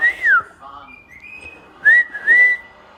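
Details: Indian ringneck parakeet, a talkative pet, giving clear whistled notes: a rising-falling whistle at the start, a softer level tone mid-clip, then two loud looping whistles near the end in a small room.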